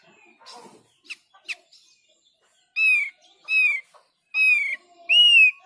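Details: Thick-billed white-eye, a sound claimed to make all of this bird answer: a few short chirps, then four loud, pure whistles, each slightly downslurred and about half a second long, repeated at roughly one-second intervals.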